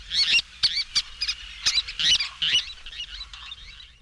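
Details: Least Tern (Sternula antillarum) giving shrill, squeaky, high-pitched calls in rapid chattering bursts, about two per second, with harsh scratchy edges and no other sounds.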